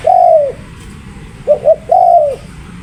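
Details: Spotted dove, called tekukur, a long falling coo, then two quick short coos and another long drawn-out downslurred coo, loud and clear over a quiet low hum.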